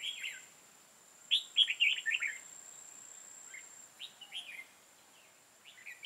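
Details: Decoy red-whiskered bulbul singing a challenge to rival birds during trapping, recorded 5 October 2018: bursts of quick, bright, warbled whistled notes in rapid runs, then shorter phrases after gaps, with a constant faint high whine behind.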